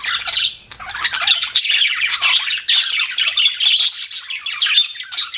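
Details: Budgies as pets chirping in an animated flow of squeaky, raspy warbles and bright tweets, starting softer then growing steady and busy.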